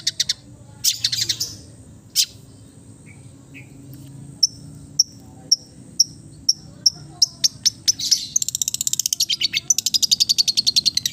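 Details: Relaxed East Java long-tailed shrike song with mimicked fill-ins: harsh high chatter, soft squeaks, a slow series of thin pure notes about every half second, ending in a fast, even high rattle.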